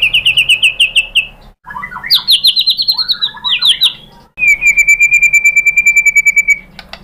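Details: White-rumped shama 'tembakan' song material for luring kept birds to answer: rapid machine-gun trains of short notes, a jumbled phrase of higher and lower chips, then a long even rattle on one steady pitch.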